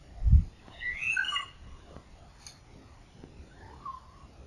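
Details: Rufous treepie calling: a short cluster of harmonic, slightly nasal notes in the mid-high range after a low thump at the start, then a fainter note near the end.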